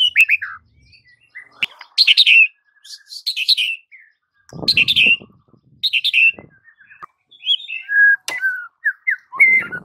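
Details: White-rumped shama song used to stir silent birds: whistled slurs mixed with harsh chattered bursts, then a sequence of falling clear notes, with some low rustling in the middle.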